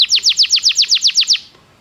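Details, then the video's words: Belgian canary song used for training: ten evenly spaced downslurred whistled notes, about seven per second, in a steady series that stops cleanly, leaving quiet. "O canto do canário belga fascina muitas pessoas"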